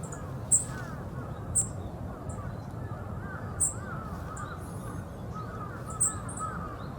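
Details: Wild Yellow-throated bunting at the former heliport of Osaka Castle Park, Japan, giving four sharp, very high, short ticking calls spaced one to two seconds apart, over low wavering calls of other birds and a steady background rumble.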